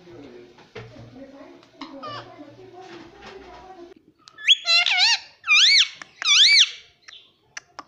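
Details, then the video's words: Parrot kept as a pet, talking and saying "papa" indoors: soft murmured chatter at first, then three loud, wavering, arching vocal calls in quick succession and a few faint clicks. "cute parrot talking papa"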